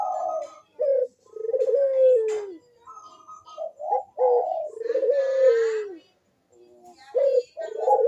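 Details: Actively cooing Barbary dove, meant to stimulate reluctant doves: stuttering short notes leading into long, falling coos, repeated about every three seconds with brief gaps of near silence.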